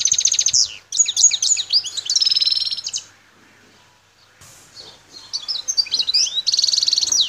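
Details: Wild goldfinch of Algeria's El Tarf sector, Bouteldja, in full song: rapid metallic twittering and buzzy trills. After a brief lull it resumes with more tinkling notes and a nasal rattle.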